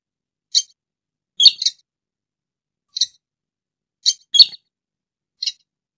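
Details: Rail, known locally as sintar or tikusan, in a recording used as a lure for bird trapping: short, high squeaky chirps, single and doubled, spaced irregularly about every second with silent gaps between.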